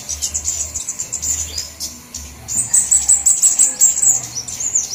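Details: Flowerpeckers of all kinds, lure call for attracting birds: high, thin, hurried twittering, then a rapid series of piercing chips about four per second, over a faint low hum.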